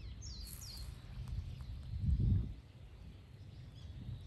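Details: Wagtail calling on 12 November 2024: a quick pair of high, falling notes at the start, then quiet, with a heavy low rumble and a brief louder burst of low noise midway.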